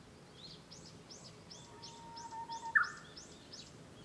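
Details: Japanese bush warbler singing, heard from a room at home, 5 May 2013: a faint steady whistle, then a short loud burst. Another bird repeats soft high chirps about every third of a second throughout.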